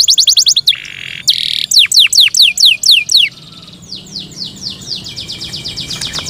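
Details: Yorkshire canary singing at home: rapid chattering notes, a short buzzy roll, then a run of evenly spaced downward whistles that soften into quieter sweeping notes.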